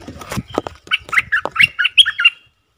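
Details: Bulbul lure call for luring wild birds: a rolling string of throaty, warbling notes follows a burst of clattering low noise at the start.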